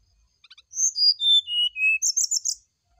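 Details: Brown-chested jungle flycatcher, morning lure song: faint buzzy ticks lead into five pure whistles descending in pitch, followed by a quick string of high, rattling buzzy notes.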